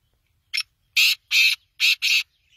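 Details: Black francolin calling loudly: a brief scratchy opening note, then four harsh, rasping, buzzy notes in two pairs, delivered rapidly over about a second and a half in otherwise quiet surroundings.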